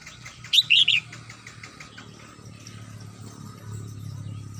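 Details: Home-kept Red-whiskered bulbul in the morning gives one brief, bright warbled phrase of three quick slurred whistles, followed by quiet with faint low rumble and background hum.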